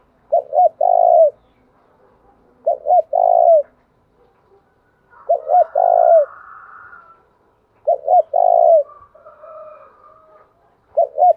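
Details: ['Spotted dove cooing to provoke rival males. The same short phrase comes about every two and a half seconds: two quick coos and a falling rolling note. Faint softer murmurs sound between phrases.']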